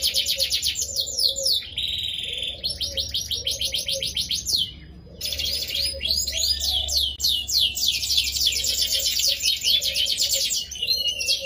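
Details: Canary in full, melodious song with varied phrasing, played to coax other canaries into singing: dense high trills and rapid rolling sweeps pour out almost nonstop, one brief break near five seconds, over a faint low hum.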